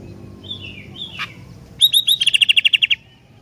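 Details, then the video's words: Sooty-headed bulbul singing, likely a caged bird kept for song: a thin whistled phrase near the start, a brief burst, then a fast bright series of about twelve rapid repeated notes over one second, with low background hum. "Kicauan Gentilang Istimewah"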